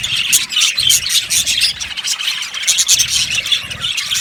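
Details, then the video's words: Yellow budgerigars chattering in an aviary colony: rapid high twitters and brief squeals overlap in a busy, pulsing stream of sound. "Budgies chirping sounds"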